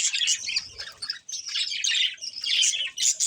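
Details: Breeding pair of budgerigars chirping: dense, scratchy high chatter and squawky warbles in near-continuous bursts, with a brief pause around the middle.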